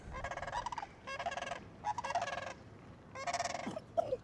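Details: Sandhill cranes on the banks of the Yellowstone River in Montana give loud, rolling, rattling bugles in four bursts about half a second long, with a faint low rumble of wind or water beneath.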